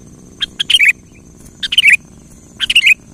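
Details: Kutilang phrases for provoking a quiet bird to sing: three separate bubbly phrases about a second apart, each two short lead notes then a quick rolling cluster of slurred whistles, faint steady whine behind.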